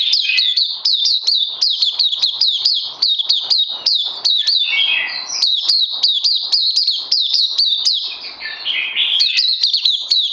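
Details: Recorded 31 May 2020, a caged oriental white-eye pours out energetic high twittering song, rapid repeated chirps interspersed with lower descending warbled phrases, continuous and loud.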